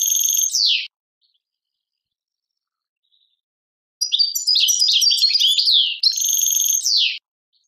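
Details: European goldfinch, tadmait song style from Algeria: an opening twitter with a nasal buzzy note and descending slur, a pause, then a long fluent chain of rapid chirps followed by a drawn-out buzz and a final down-slurred note.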